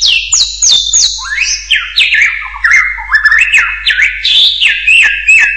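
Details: Hill myna calling with piercing high whistles that slide downward, followed by lower looping, rising and falling slurred notes in an irregular varied series.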